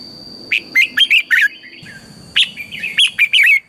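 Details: Red-whiskered bulbul in energetic 'căng lửa' morning song, used to train other bulbuls: two tight clusters of loud, bubbly, rising-and-falling whistles about two seconds apart, with a faint steady high tone in the background.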